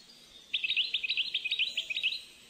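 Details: Captive-bred European goldfinch, born 10 June 2013 to a Moroccan father and Algerian mother, delivering a rapid series of sharp, bright, clipped notes in quick rhythmic repetition, high and clean over a quiet background.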